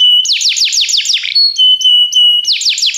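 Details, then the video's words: Singing Belgian canary for training: bright downward-sweeping notes in quick series, broken by long, steady, pure whistled tones held for about a second. "treinamento canário belga cantando"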